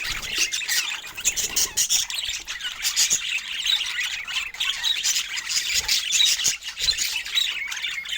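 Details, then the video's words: Pet budgerigars chattering quietly and affectionately together: an unbroken stream of high, scratchy twittering and rapid chirps, with brief clicks and no human voices or music. "Cute Budgies Sharing Soft Love Sounds"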